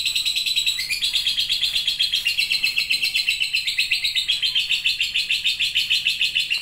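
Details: Lovebird in its long chattering song (ngekek): a dense, high, buzzy rattle of rapid pulses, briefly stepping higher about one second in, then running on steadily without pause.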